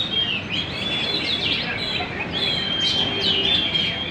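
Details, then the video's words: Persistently singing (gacor) magpie-robin in Banjar, giving long pure whistled notes broken by quick chirpy flourishes and downward slurs, over a faint continuous low rumble. "Burung murai Gacor di Banjar indah"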